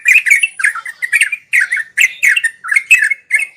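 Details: Sooty-headed bulbul 'ngeropel' song meant as daily tutor audio for learning birds: short bubbly bursts of whistled notes repeated about every half second, separated by brief gaps, with clicks.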